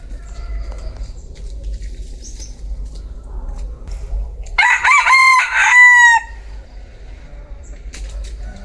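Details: A bantam cock gives one loud crow lasting under two seconds, broken into choppy harmonic pulses that finish in a sustained, slightly falling note, with quiet ambient rumble before and after.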